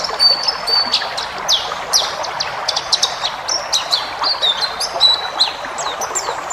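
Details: Tutor recording of forest white-eye for cage birds: quick, high-pitched chattering chirps mixed with short level whistles, delivered in a continuous varied flow over faint background noise.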